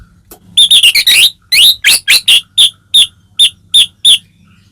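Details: Caged white-rumped shama song used as a provoking call: harsh jumbled chattering notes, then evenly spaced sharp high whistled notes slowing toward the end.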